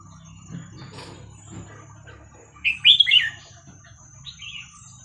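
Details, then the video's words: Red-whiskered bulbul singing the 'Hua Krok Khayao Khuat' song style, played for teaching young birds: one short burst of bright warbled whistles midway, then a softer echoing phrase, over faint low background hum. "เสียงนกกรงหัวจุกเพลงหัวครกเขย่าขวด เปิดสอนลูกนก"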